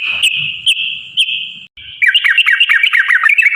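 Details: Yellow-vented bulbul song meant to provoke other bulbuls to sing: a long steady high ringing note broken by short clicks, a brief pause, then a rapid rolling run of quick chattering notes.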